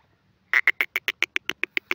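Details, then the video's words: A grey francolin gives a quick run of about eleven hard, evenly spaced clicking notes that start abruptly after a brief silence. "grey francolin call pheasant birds awaaz"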